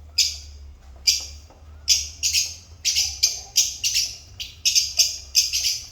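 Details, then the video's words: Repeated shrill, buzzy high chirps from African lovebirds, starting about a second apart and quickening to several per second, against a faint low hum. "African Love Birds Satisfying Sound Effect"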